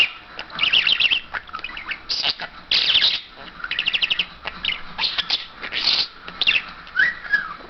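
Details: Pet talking parrot imitating English, German and Turkish words, rapid stuttering chatter with rattling pulses and harsh squawks, ending in a short upward whistled note.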